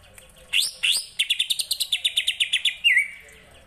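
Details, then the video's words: Song of a greater green leafbird copying the kapas tembak. A pair of loud rising whistles, then around a dozen quick, evenly spaced sharp chips, closing with a drawn-out downslurred whistle. "CUCAK IJO RASA KAPAS TEMBAK"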